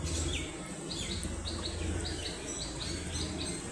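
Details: A brood of baby ducklings playing and exploring, giving high, thin peeps that slide downward, repeated in quick pairs and runs over a steady low rumbling hum.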